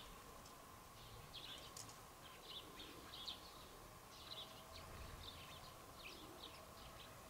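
House sparrow giving faint, short chirps in loose irregular bursts, with a steady high drone and low rumble behind.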